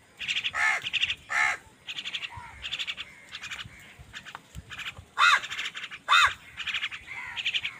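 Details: Crows calling angrily while fighting other wild birds for food: harsh, ragged caws repeated irregularly, some louder and lower-pitched, mixed with thinner cries from other birds.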